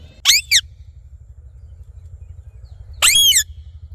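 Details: Parrot giving harsh squawks: two short screechy notes, a pause of over two seconds, then one longer raspy squawk, with a low steady hum underneath.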